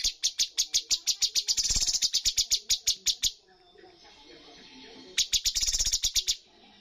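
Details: Bulbul in full 'tembakan' volley style, a bird-competition song scoring top points: sharp high notes fired in fast series, quickening into a dense trill, a pause near the middle, then another rapid burst.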